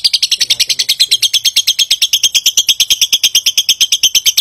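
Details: A lovebird pours out a long ngekek trill intended to prompt other birds to answer: brisk, metallic chirps repeated steadily, with a faint low murmur underneath at the start.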